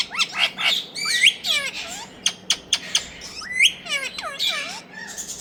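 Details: Ringneck talking parrots in India, making busy high squawks and quick up-and-down whistled notes, with sharp clicks and harsh bursts packed closely together, some brief lower tones beneath.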